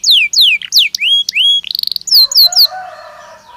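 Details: Belgian canary song used as a training stimulus: a varied phrase of loud falling whistles, short upward slurs and a brief rapid rattle, followed by a few more falling notes and a quiet fade.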